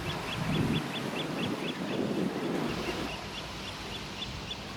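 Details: Eurasian oystercatchers in a flock on the Hokusei coast of Mie, Japan, repeat sharp high piping notes in a brisk regular run that fades near the end, with wind and low surf rumble beneath.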